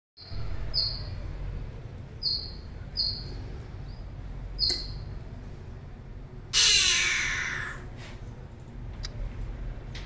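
A Greater Coucal gives an unusual call: four sharp, high, falling chirps over five seconds, then a loud harsh rasping hiss lasting about a second. Low background rumble throughout.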